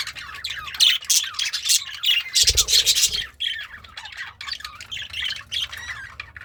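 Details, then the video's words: Content budgie feeding on greens while singing, a rapid scratchy chatter of harsh squawks and twittering notes, about three per second, with a brief low rumble midway. "The Sounds of a Happy Budgie - Chirping, Singing, and Eating Greens"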